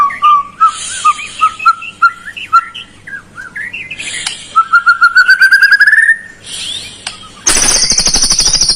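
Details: White-rumped shama singing to urge a lazy bird to sing: low repeated whistled notes, a long rising trill climbing steadily in pitch, then a loud, very high rapid rattle at the end.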